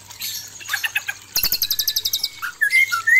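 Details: White-rumped shama male facing a hostile female, breeding therapy recording; soft chips, then a fast buzzing rattle of repeated pulses, followed by clear rising whistles.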